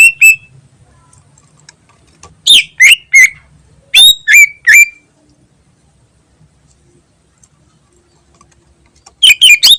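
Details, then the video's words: Greater green leafbird singing ngentrok, recorded as a lure: a single chip, then two clusters of three or four sharp, downslurred squeaky notes separated by pauses, and a final fast burst. "Burung Cucak Ijo Gacor Ngentrok Bagus Buat Pancingan"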